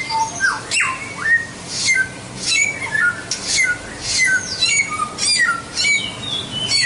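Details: White-rumped shama singing a long series of varied phrases: bright falling slurs, clear level whistles and crisp high notes in uneven rhythm.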